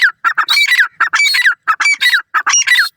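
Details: Loud, harsh squawking from an Iranian partridge with its chicks, rapid grouped notes with sliding, slurred tones, repeated in quick bursts with short gaps.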